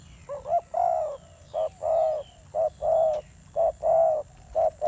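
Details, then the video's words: Fierce-voiced coo of a spotted dove kept as a decoy bird: steady low cooing in pairs, a clipped note followed by a fuller, longer one, repeating roughly once a second. "Thổ Gù âm dữ"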